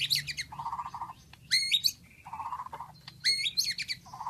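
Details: White-rumped shama (murai batu) giving a repeated pattern: high sharp rising notes alternating with lower steady warbled phrases, the sequence returning about every 1.6 seconds.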